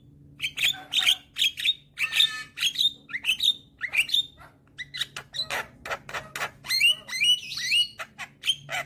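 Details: Young black-winged starling in full, constant song while nodding: rapid series of clear, rising whistled notes mixed with dry clicks and harsh chatter, continuous over nine seconds, a low hum beneath.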